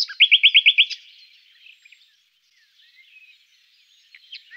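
A Common nightingale song phrase opens with a rapid run of about seven loud, rich repeated notes in under a second, followed by soft, scattered twitters.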